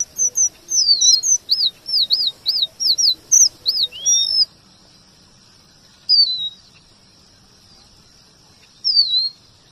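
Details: Male strawberry finch's varied rolling song, combined with white-rumped shama phrases and used as shama tutoring material: a fast series of high, looping arched whistles for four seconds, then two isolated downward-sweeping notes after pauses.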